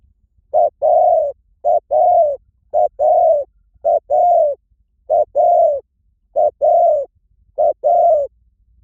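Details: Spotted dove cooing steadily: eight paired phrases, each a short coo followed by a longer, fuller coo, repeated roughly every second with regular pauses between them.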